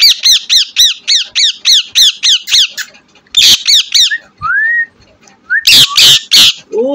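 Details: A pet talking green parrot in India gives a fast run of harsh, ringing squawks, about four or five a second, then a rising whistle, louder screeches and a falling whistled note.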